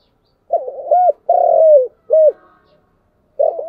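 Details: A spotted dove coos in the chiêu and thúc manner: one full low phrase of a hooked double coo, a long falling drawn note and a short rising-falling coo. A new phrase begins just at the end.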